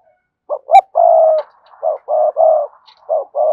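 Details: Spotted dove of the cườm sa type cooing in quick rhythm: short clipped notes followed by longer, low, steady hooting coos, repeated several times in a fast, urgent series.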